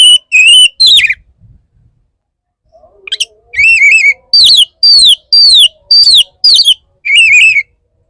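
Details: Male Oriental magpie-robin courting a female with strong, clear whistled notes, mostly falling or arched, repeated in an even series of separate bursts after an opening pair of wavering whistles and a short pause.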